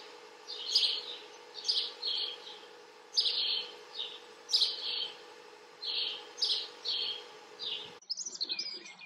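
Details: House sparrows observed chirping: bright, clipped chirps in pairs and triplets recurring irregularly for about eight seconds over a steady low hum, then the hum cuts out and softer rustling follows.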